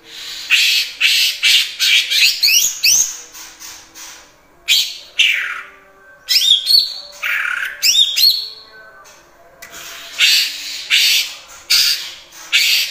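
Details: Greater green leafbird in vigorous song mimicking kapas tembak and cililin, mixing harsh buzzy bursts, rapid upward-slurred whistles and chattering notes in a dense continuous stream.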